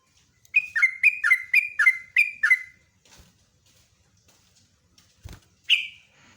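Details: Sooty-headed bulbul, locally trucukan, singing energetically in a long rapid ropelan style: about seven bubbly two-note phrases in quick succession, a pause with a faint click, then one more bright note.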